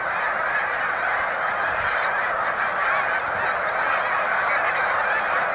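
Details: Wild Snow Geese in large flocks pausing on spring migration at Cayuga Lake, New York, on 20 March 2021. A thick, even wall of overlapping honking calls, with no other clear sounds.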